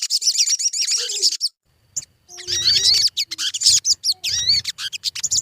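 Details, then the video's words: Sogon bird used as a lure recording to get birds singing: dense high chirping with rapid twisting, warbled phrases, a brief pause midway, then renewed bursts of fast tweets. "Suara pancingan burung sogon"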